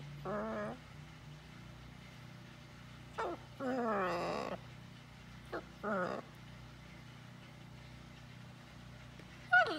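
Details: Farm-kept blue-and-gold macaw talking with its owner: a run of voiced 'hello'-like phrases, one long wavering harmonic burst in the middle, and several brief clicks and syllables in between, over quiet hum.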